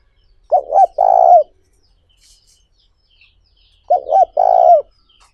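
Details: Spotted dove calling to lure and excite other doves, used for training decoy birds; two loud mellow coo phrases about three seconds apart, each a quick double note then a drawn-out vibrating coo falling at the end.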